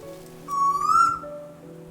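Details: An eastern koel, a cuckoo that migrates from New Guinea to Australia for summer, gives a single clear whistled note that slides upward and fades, over soft, steady low background tones like quiet music.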